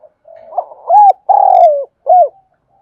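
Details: Spotted dove from Đồng Nai, Vietnam, cooing and calling to stimulate newly caught birds: one phrase of a soft buzzy lead-in, an arched hoot, a long coo sliding downward, then a short final arched coo, in a quiet setting.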